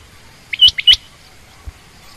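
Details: A female quail, given as common or rain quail, gives two quick, high, rising double notes about a third of a second apart, then falls quiet over faint background hiss.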